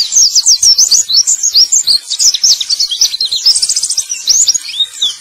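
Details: Male white-eye song, known locally as pleci, played as a lure to stimulate birds that have stopped singing to start again. Rapid, high-pitched twittering runs on without pause, dense tumbling chirps and short slurred whistles in quick succession.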